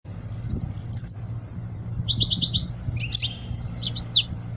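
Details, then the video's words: European goldfinch song meant for teaching young goldfinches: short high twittering phrases, a tinkling trill and quick sweeping notes in separate bursts, over a low steady hum. "اجمل غناء لتعليم صغار الحسون"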